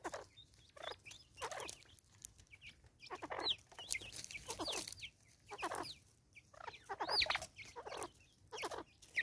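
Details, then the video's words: An angry Natal spurfowl in South Africa, 2024, gives its raucous call: harsh, raspy cackling bursts, roughly one a second, with a couple of thin, high whistled notes from another bird. "Lady bird angry"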